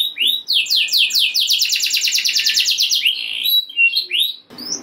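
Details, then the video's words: Canary singing a 'ngeroll' rolling song to rouse other canaries: quick falling sweeps merging into a dense high trill, then scattered slurred notes and a short noisy burst at the end. "Kenari Gacor Ngeroll Nembak Joss! Buat Naikin Emosi Kenari Lain Biar Gacor Ngedur Ngerek"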